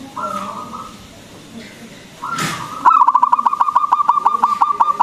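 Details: Local zebra dove with a big, frequent voice, played as a lure to stimulate other doves to sing; a smooth tone, then a fast rolling run of clipped cooing pulses for about two seconds, over a faint room background.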